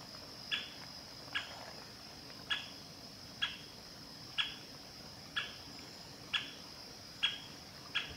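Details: A male Great spotted woodpecker at Ōhora spring, Lake Yamanaka, Japan, on 11 August 2020 gives sharp, clipped, high single "kik" call notes about once a second, over a faint steady insect hiss.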